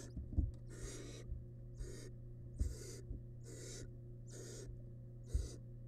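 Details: Six rough, hissing bursts spaced about a second apart from a wild barn owl nestling feeding on a large rabbit remain in a monitored nest box. Occasional thumps and a constant electrical hum behind.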